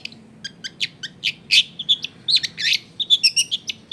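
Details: Long-tailed shrike song used as a lure for other shrikes, recorded at home in a crowded residential area: a rapid jumble of scratchy chirps and harsh buzzy notes, growing denser toward the end, over low hum.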